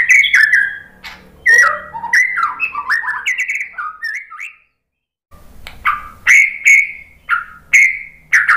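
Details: White-rumped shama (murai batu) song used as a lure to make other birds answer: rich, varied whistled phrases sliding up and down, a short silence, then loud ringing notes repeated about every half second.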